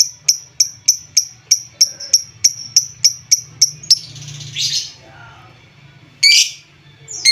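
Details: Lovebird sounds meant to stimulate less active lovebirds: a steady series of sharp high chips about three per second, then a buzzy chatter and a harsh squawk.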